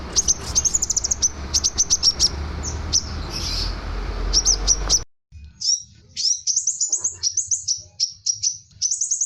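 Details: Scarlet minivet singing energetically, used for training other songbirds: fast runs of high, thin whistled and chirping notes, a noisy first half, then an abrupt cut to a cleaner stretch of similar rapid high notes.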